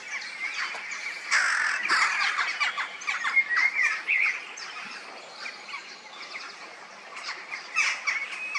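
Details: Peregrine falcons living in a limestone and clay quarry, their chests dyed pink by iron oxide, give a dense run of harsh, grating screams, overlapping and rapid, loudest in the first half and then easing off.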